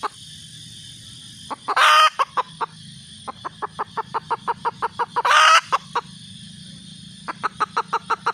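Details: Red junglefowl hen calling: rapid series of short, sharp clucks about five per second, broken by two loud harsh drawn-out squawks, with quiet gaps between bursts.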